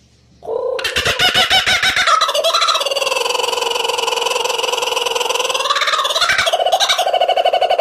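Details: Kookaburra giving a call described as frightening. It opens with a rising harmonic note, then rapid staccato pulses, and swells into long, rolling, layered laughing notes that hold steady to the end.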